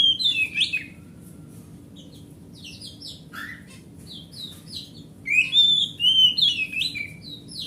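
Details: Large-bodied forest oriental magpie-robin, a grade A home hobby bird, in song used as a lure for non-singing magpie-robins: bursts of quick chirps and sweeping notes, a quiet gap, then loud varied whistles over a faint hum.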